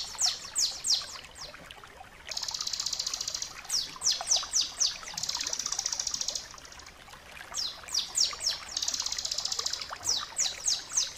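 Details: Bar-winged prinia singing the clear, long crystal-style song, recorded as a master to train other birds to sing eagerly: several bursts of rapid falling high whistles separated by three sustained buzzy trills of about a second each.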